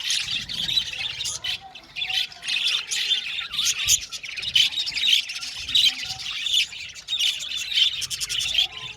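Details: Budgerigars in an aviary colony keep up dense, overlapping high chirps and chattering warbles with sharp squawks mixed in, a busy flock chorus with no pauses.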